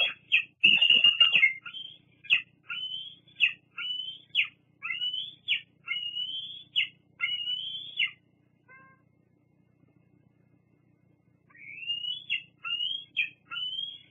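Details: Bald eagle at the Fraser Point nest on 08-08-22, squeeing at other eagles. A rustle gives way to a series of about eight shrill squeals spaced under a second apart, then a long silence and three more.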